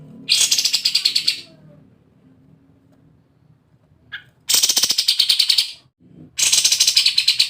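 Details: Sooty-headed bulbul in emotional 'ngebren' song, used as bait audio so other birds join in: three loud bursts of fast, harsh, buzzy rattled notes, each roughly a second long with gaps between, over a quiet low hum.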